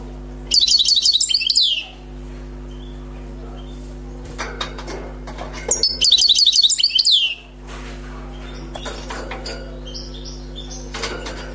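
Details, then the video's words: Wild European goldfinch, freshly trapped, delivering its song: two bursts of rapid, high, tinkling twitters with buzzy slurred notes, each about one and a half seconds, separated by a pause with scattered clicks and faint rustling, over a steady low hum. "غناء حسون بري صيد جديد"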